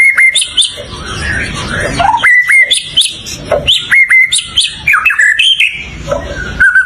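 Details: White-rumped shama singing a rich, varied song: clear whistled notes around the middle range, sharp flat whistles and quick rising and falling slurs, delivered in short bursts with brief pauses, over a faint background hiss.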